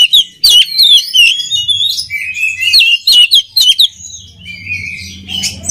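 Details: Oriental magpie-robin song for training other birds: clear downslurred whistles and rapid chattering phrases, fading near the end as a low hum rises.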